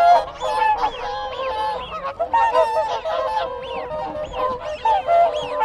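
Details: Loud, close contact calls from a group of whooper swans: strong, brassy honks in bursts of several notes, over a background of whistling wigeon and calling Canada geese.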